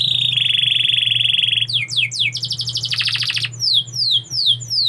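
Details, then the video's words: Canary song opening with a long, steady, rapid rolling trill, then quick downward slurred notes, a dense buzzy burst, and a series of four clear descending whistles, over a low steady hum. "KICAU BURUNG KENARI"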